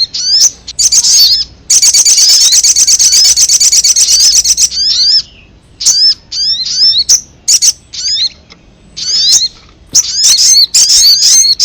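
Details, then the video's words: Ruby-cheeked sunbird call used as a lure to attract wild birds: a fast, high buzzy rattle lasting about three seconds, then many separate sharp downslurred chips and squeaky notes spaced irregularly. "Suara pikat burung sogon paling ampuh"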